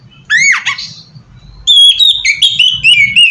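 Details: Oriental magpie-robin song used as a lure to draw other magpie-robins: a rising, fluttering whistle, a pause, then a run of clear, varied whistled notes sliding up and down, with faint low hum beneath.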